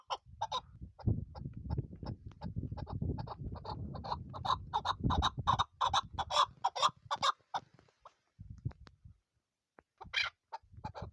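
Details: Female chukar partridge kept as a hunting bird, giving a series of sharp, clucking chuk notes in quick rapid bursts that speed up and cluster, with low rumbling background noise and short gaps of quiet.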